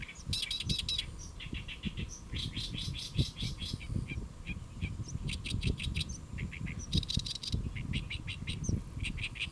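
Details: On a lotus leaf at Saemangeum, Gimje, South Korea, a Great reed warbler sings near midday on 1 July 2024, in loud, croaky, chattering phrases of rapidly repeated harsh notes, broken by brief pauses, over a low background rumble.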